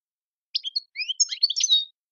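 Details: European goldfinch song in the Algerian tiwawati style, from Tizi Ouzou: a short burst of high twittering notes and quick rising slurs, busier toward the end, on a clean silent background.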